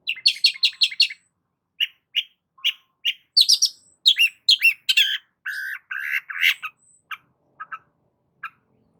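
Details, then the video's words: Long-tailed shrike in full song: a quick string of high chirps, then harsher buzzy and squawking notes, thinning to a few scattered chips at the end. "BURUNG CENDET GACOR"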